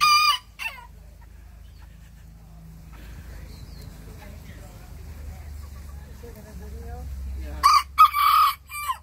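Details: Bantam roosters sassing back at the big neighbouring rooster: a short harsh crow opens, followed by a long quiet stretch with faint background noise, then a loud ringing crow with a rough, broken ending.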